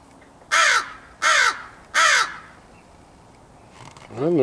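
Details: Morning crow recorded on 4/6/2015 gives three hoarse, evenly spaced caws about 0.7 seconds apart, each short and raspy with a dropping end. A man's voice starts speaking right after.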